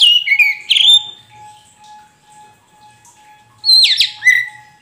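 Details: A poci-type Oriental magpie-robin in a cage sings as a lure for a bird that will not sing. Sliding whistled phrases at the start and end frame a pause, with a constant steady background tone throughout.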